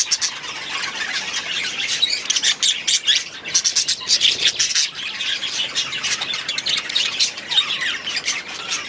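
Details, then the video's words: An aviary of budgerigars chatters nonstop, busy high warbling and clicky squawks layered from many birds, with brief louder flurries near the middle. "6 Hours of Budgies in their Aviary"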